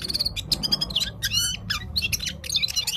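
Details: Parachinar Gulsar, the Himalayan bulbul, in loud full song. Quick high twittering notes and brief rising-falling whistles come in tight clusters with short gaps, over faint low background noise.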